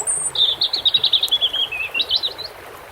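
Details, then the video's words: European robin singing near water: one very high thin note, then a fast trill of about fifteen quivering notes that drifts slightly lower, ending in a few sharp, rising twitters, over a faint watery wash. "Relaxing _Water Sounds _bird red throat"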